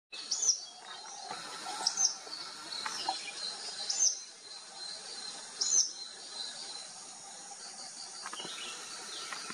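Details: Tawny-bellied babbler at Banda, Maharashtra, India, in December 2023, giving short, high chipping notes every couple of seconds over a steady, shrill hum of insects.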